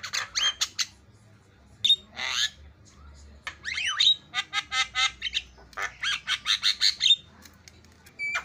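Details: Javan myna fill-in song used as a masteran: scratchy chips, rising slurred whistles, and a long series of quick repeated harsh notes near the end.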